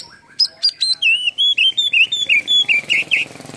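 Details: Lure song of an excited kacer, the Oriental magpie-robin, fanning its tail: a rapid rhythmic string of clear, slightly descending whistles, roughly a dozen notes in three seconds.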